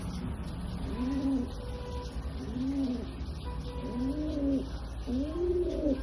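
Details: An Indian rock pigeon gives four low, throaty coos, each swelling up and falling away, roughly every second and a half, over a steady low rumble.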